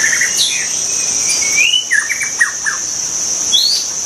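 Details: In the wild, a white-rumped shama sings clear whistled phrases: a long rising slur, then a burst of quick descending notes, backed by a steady high insect whine.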